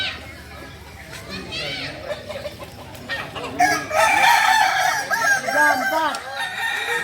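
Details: Native Solok Kukuak Balenggek chickens in crowing performance training; soft background clucking gives way to loud overlapping crows with wavering, arched syllables in the second half.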